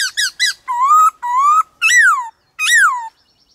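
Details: Loud, rich whistling from a black-throated laughingthrush in 'đảo giọng' song, meant to excite and train other birds: quick stuttered notes, two long rising whistles, then two arched, falling phrases.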